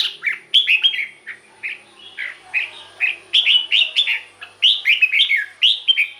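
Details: Red-whiskered bulbul, caged, singing for use as a decoy or to make other birds excited: a steady stream of short, sweet, slurred chirps, often in pairs, spaced fairly evenly, with a faint low hum behind.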